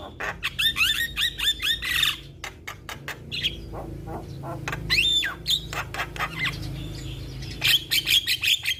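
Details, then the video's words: Champion-style Javan myna (jalak kebo) song used to tutor young mynas. Rapid rising whistles, loud clicks and harsh rasping notes mixed with chattering phrases over a steady low hum. "MAsteran Burung Jalak Muda Bikin Rajin Bunyi Tanpa Henti - Jalak Kebo Gacor Juara"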